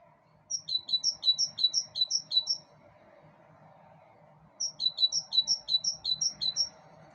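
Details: On a balcony, a bird delivers two bursts of about seven rapid, thin, high chirps each, separated by roughly two seconds of quiet with low household hum.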